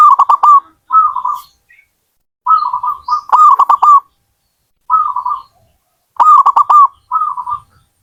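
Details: Zebra doves (perkutut) from a hobbyist, with choppy staccato cooing phrases alternating with softer, rolling purred coos, the pattern returning several times in close succession.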